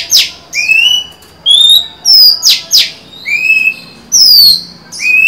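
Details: Song of a female Oriental magpie-robin luring a male, 23 July 2020. Loud whistled notes alternate with sharp downslurred strokes, each phrase under a second, in a lively irregular sequence over a faint hum.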